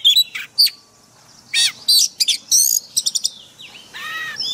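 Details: Forest-style song of an Oriental magpie-robin, played as daily training for caged birds: bright whistles and chattering bursts separated by a silent gap, ending in a softer, lower warbled phrase.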